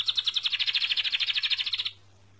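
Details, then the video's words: Close, bright bird trill of quick even pulses lasting just under two seconds, then stopping abruptly, leaving only a faint steady hum. "Vean como canta de hermoso este pajarito"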